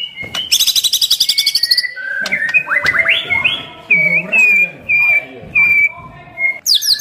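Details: White-rumped shama in full varied song, used to provoke other shamas into singing: a fast high buzzy trill, then rising slurred whistles and a series of clear steady whistled notes repeated about every half second.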